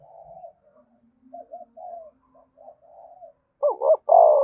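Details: Spotted dove cooing, played to stimulate other doves to start cooing: soft, low, wavering coos drift through the first three seconds, then a loud close bout of three deep, throaty, bending coo notes ends the recording.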